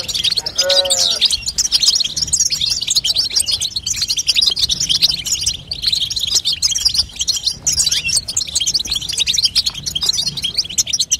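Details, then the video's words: Long run of female European goldfinch babtaba, used to make a young goldfinch sing; fast, bright twittering continues throughout, with a short lower wavering squeak near the opening. "بتبته لتقويه فرخ الحسون تخلي يغرد غصب عنو"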